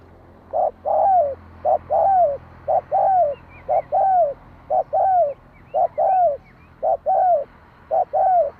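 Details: Spotted dove calling, used to stir a decoy bird into calling quickly: rapid paired coos, a short note followed by a longer falling one, repeated about once per second in a steady run, with a low background hum.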